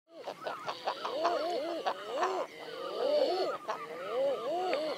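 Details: Common eider calls: many overlapping, arched, moaning coos rise and fall in a dense chorus from several birds, with short clicks and a faint higher hiss behind.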